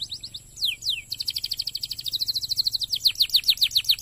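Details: Canary song used to prompt other canaries to sing: a few descending sweeps lead into fast repeated high chirps, varied rolling trills at a steady brisk pace, low hum in the background.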